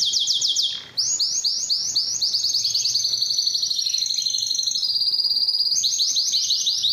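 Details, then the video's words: Canary producing fast repeated swooping phrases, a short break, then sustained rolling high trills and warbled passages sung loudly without stopping. "Canary sounds"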